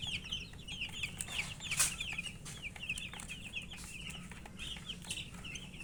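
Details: Several chicken chicks feeding, giving quick high cheeping notes in an almost continuous overlapping stream, with one sharp click, light pecking ticks and a background hum.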